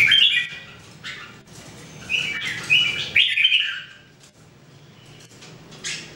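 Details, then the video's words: Three Red-whiskered Bulbuls (Jambul) in cages, 2018 daily singing practice: a loud opening chirp, then a bright, liquid whistled phrase in the middle, fading to quieter scattered notes and a final chirp, with steady low hum behind. "Training Jambul birds singing everyday 2018"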